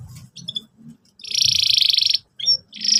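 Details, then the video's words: Canary song in the lively cuit cuit style meant for young canaries learning to sing: a loud, dense buzzy trill lasting about a second between short high chirps, over faint low background noise. "pancingan burung kenari gacor cuit cuit emosi, kesukaan kenari muda belajar bunyi"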